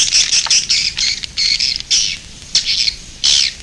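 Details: Edible-nest swiftlet (Aerodramus fuciphagus), a resting or roosting call used at nesting sites, gives harsh, buzzy high-pitched chatters in quick bursts, roughly two or three each second, with no other sounds.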